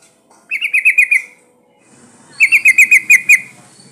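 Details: Female sooty-headed bulbul in breeding condition calling to males: two bursts of rapid, bright chirping notes, about six to eight per burst, fairly high and slightly wavering, with a short silence between them.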